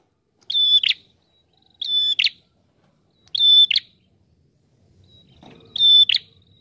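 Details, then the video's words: Singing prinia, used for luring birds: four phrases of a steady high whistle ending in a buzz, spaced about one and a half seconds apart, with faint low rustling near the end. "Prenjak TAMU Gacor Ngalun Rapat"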